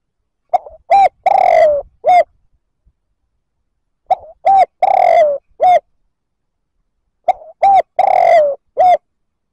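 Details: Spotted dove coos to provoke rival males, three phrases spaced roughly every three seconds, each a small lead-in note, a hollow coo, a drawn-out trembling descending coo and a brief last note.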